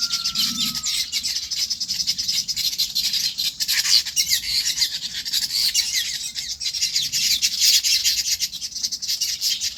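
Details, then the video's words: Birds chirp on a farm in their natural surroundings: a steady, crowded chorus of sharp high tweets and trills, with a brief lower whistle sliding down at the start. "Bird Chirping Sounds"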